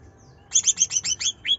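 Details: Greater green leafbird in nembak style, a lure for a bird that will not sing: a rapid string of six high sharp chirps sliding downward, ending in a brief rising note.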